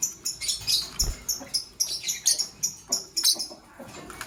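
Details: Green Fischer's and pastel blue lovebirds in the morning give high, piercing chirps repeated in quick succession, roughly every third of a second, each a sharp scratchy note, with one soft low thump.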